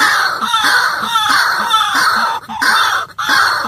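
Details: White-breasted waterhen call played back to lure birds into traps: loud, harsh, continuous croaking and grunting phrases repeated in rapid bursts, with brief pauses near the end.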